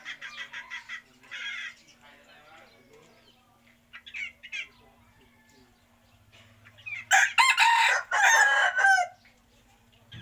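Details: Chickens with scattered soft clucks and short squawks, a quiet middle stretch, then loud raucous harsh calling in two long bursts toward the end, over a faint low hum.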